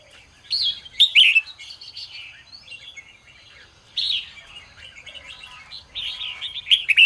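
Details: Morning song of a red-whiskered bulbul, played to rouse and train other bulbuls. A loud descending whistled note near the start, then long stretches of jumbled chattering warbles, and bright sharp notes at the end.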